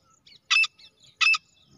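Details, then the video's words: A female grey francolin gives two loud, harsh, rasping bursts about three-quarters of a second apart, with softer high chips between them; a call used in francolin hunting. "new female Teetar awaaz"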